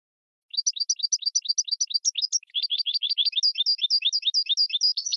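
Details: Training song from a goldfinch and red canary hybrid: continuous fast high-pitched twitters in rapid repeated syllables, shifting midway to a slightly lower, denser run, without other sounds.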